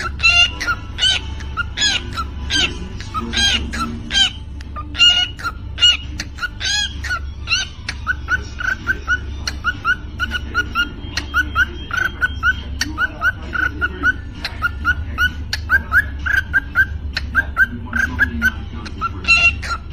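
A cockatiel gives a rapid run of clicks, chirps and whistled notes in a choppy, beatbox-like rhythm.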